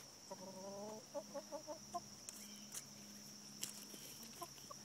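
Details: Chickens in a backyard: one drawn-out, layered call, then a quick run of about six short clucks in a second, followed by quieter scattered clucks over a steady hum.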